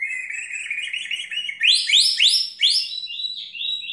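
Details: A white-rumped shama sings in fighting style: a steady buzzy trill gives way to loud, rapid upsweeping whistled notes repeated about three times a second, ending in softer warbles.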